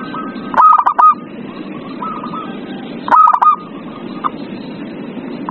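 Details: Zebra dove song used as a lure to prompt a reluctant dove to sing: short bursts of stuttering, clipped cooing notes, repeated about every two and a half seconds over a steady hiss.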